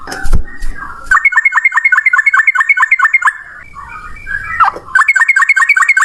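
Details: Rapid rolling fighting song of a male yellow-vented bulbul, used to stimulate other bulbuls: fast chattering note series of about four notes a second, a pause, then the run resumes.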